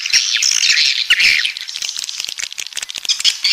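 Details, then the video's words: Beach swiftlets chatter in a dense, overlapping stream of high, thin twittering chirps and buzzy squawks, with quick clicks running through it. "Suara Walet Pantai"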